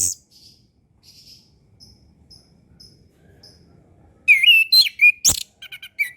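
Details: Orange-headed thrush song for coaxing lazy or learning birds: soft high chips repeated at intervals, then a loud, fast sequence of warbled whistles, a sharp click and quick high notes.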